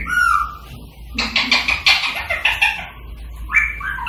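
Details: Rose-ringed parakeet giving a falling whistle, then a burst of harsh rasping chatter, and another short whistle at the end, over low background hum.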